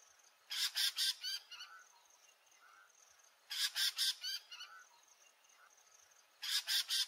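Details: Red-necked falcon in Rajasthan giving its shrill "tintrintrin" call: harsh bursts of four or five rapid notes, repeated about every three seconds; faint chirps from another bird in between.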